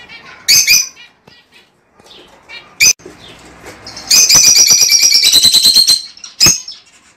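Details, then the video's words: Lovebird mating sound for encouraging a pair to breed: a few sharp, shrill chirps, then a loud, fast, rattling chatter of rapidly repeated piercing notes lasting about two seconds, ending with one more sharp chirp. "El sonido de los tortolitos para el apareamiento y la producción."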